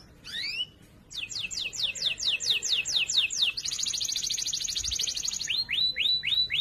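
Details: Training song from a canary, loud and clear for other canaries to learn: rising notes, a string of descending sweeps, a fast dense high trill, then rising slurred notes.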